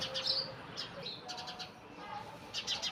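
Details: House sparrows at dawn near a temple: short, bright chirps, several overlapping in quick succession, over faint amplified temple music.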